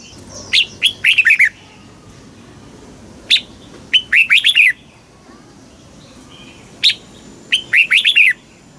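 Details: Red-whiskered bulbul, Thailand, singing a southern master-style phrase meant to stimulate caged birds and teach youngsters: three repeated phrases roughly every three seconds, each a sharp lead note then a tumbling group of bright whistles.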